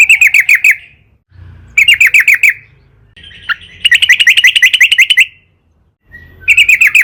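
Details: Yellow-vented bulbul (trucukan) singing long and vigorously, played as a lure to make other trucukan sing; bursts of six to twelve rapid, bright chirps repeated with short silent gaps between bursts.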